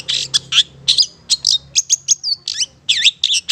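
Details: Long-tailed Shrike (cendet or pentet) of the Madura type, singing actively as a training recording: a rapid run of sharp, high chirps and squeaky notes, some with bending, wavering whistles, in quick bursts.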